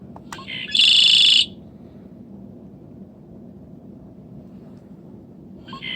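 A Red-winged Blackbird gives one harsh, buzzy trilled phrase lasting under a second, followed by quiet and the start of a second phrase at the end.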